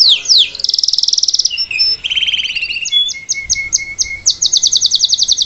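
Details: Singing salsa canary, recorded live as a model for a youngster learning its song; quick sweeping notes give way to a dense buzzy trill, then spaced chips and a fast high rattle.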